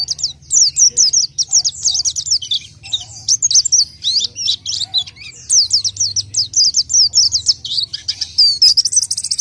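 An orange-headed thrush sings a fast, unbroken stream of high, slurred and chattering notes, varied and rapid throughout, over a faint low hum.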